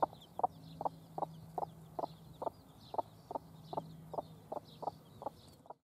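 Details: Hen with chicks giving a steady series of short, soft clucks, about two or three each second, while faint high chick peeps continue in the background.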